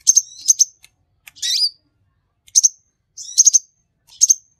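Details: A sunbird called king konin, singing actively as a tutor recording: sharp high chirps in doublets alternate with longer rough, buzzy, descending phrases.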